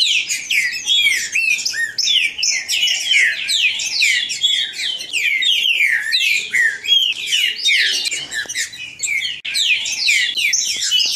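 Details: Great-billed seed finch song played to fire up another bird: fast chattering, whistled notes in quick descending sweeps, continuous and busy, several phrases overlapping throughout.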